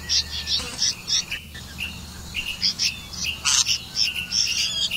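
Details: Red-vented bulbul feeding crickets to its young; quick irregular high chirps and twittering notes, some sliding, crowded closely together.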